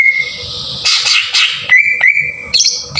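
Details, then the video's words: Cucak ijo lure song in tembakan kasar style, used to get other green leafbirds singing. A thin steady whistle is broken by harsh raspy bursts, then a level whistled note with sharp clicks and a high whistle at the end. "PANCINGAN PENDONGKRAK EMOSI CUCAK IJO TEMBAKAN KASAR"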